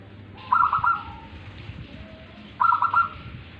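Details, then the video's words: A tame local perkutut, or zebra dove, sings two brief rolling coo phrases about two seconds apart, each a fast cluster of soft, slightly trilled notes trailing off, over a low hum. "perkutut lokal manggung jinak"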